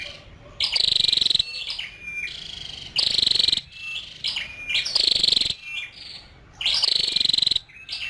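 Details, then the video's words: A female scarlet-backed flowerpecker alternates loud grating high bursts with softer sharp chips and short thin whistles, the loud bursts coming about every two seconds. "Tiếng chim sâu đầu đỏ mái"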